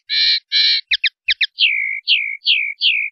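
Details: A common linnet delivers 'limpio' clean song, from a 2019/2020 CD: two harsh buzzy notes, then quick paired stuttering chips, then four downward-swooping whistles, varied and fast.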